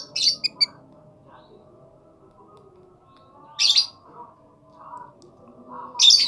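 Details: Lovebird calling in short shrill bursts: a stuttering cluster of sharp chirps, then two louder harsh squawks about two and a half seconds apart, with quiet gaps and faint soft noises between.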